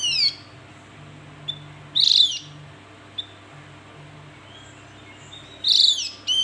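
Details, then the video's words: Sparse, scratchy falling calls of a Javan grey-throated white-eye, three main bursts several seconds apart with a few faint ticks between, over a low steady hum. "Panggilan burung Opior Jawa"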